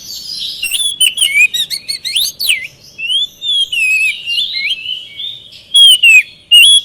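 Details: Lure song of an oriental magpie-robin, meant to get reluctant birds singing back: rich warbled whistles, rising and falling slurs, and quick chips, with brief loud notes near the end.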